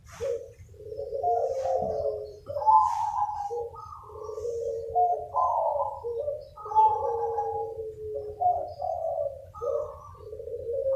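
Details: Many local zebra doves calling back and forth as a lure, with overlapping soft, rolling coos and trilled phrases that rise and fall, over a steady low rumble.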